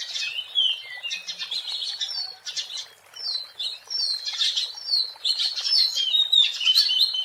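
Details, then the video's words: Lively song of a wild Oriental magpie-robin, used as a lure: buzzy twitters mixed with clear high whistles, coming in bursts that rise and fall in strength, with one brief quieter gap midway. "SUARA ASLI BURUNG KACER GACOR BUAT PANCINGAN DAN PIKATAN MP3 DI ALAM LIAR"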